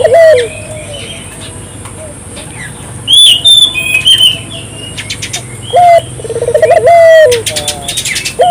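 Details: Barbary dove cooing to stir local doves into calling; one rolled coo at the start and another bubbling phrase with a long falling note near the end, high chirps and twitters of other birds filling the gap between.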